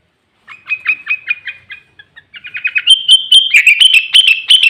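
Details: Sooty-headed bulbul singing hard as a lure to rouse rivals, song filled with green leafbird phrases: a steady train of clipped chirps, a brief pause, then a faster, louder, higher series of ringing notes.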